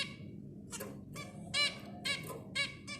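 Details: Zebra finches singing: short nasal, honking notes, each rich in overtones, come about twice a second in a quick, uneven series over a low background hum.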